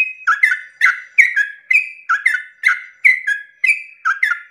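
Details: Dawn 'ropel' song of a yellow-vented bulbul, played to make other bulbuls sing along; rapid bubbling whistles, each phrase a quick chirp into a lower slurred note, repeat closely without pause.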